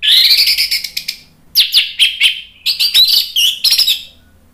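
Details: Continuous, energetic orange-headed thrush song in gacor ngeplong style, used as a lure so other birds join in: rich warbling and buzzy trills with quick rising and falling whistles, briefly pausing mid-phrase.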